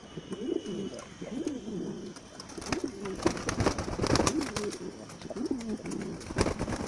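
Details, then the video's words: Bronze-coloured Modena pigeons on a farm in Comilla city, Bangladesh, where about 200 pairs are kept. Low, rolling coos repeat and overlap throughout, with scattered clicks and rustling around the birds. "Modena pigeons"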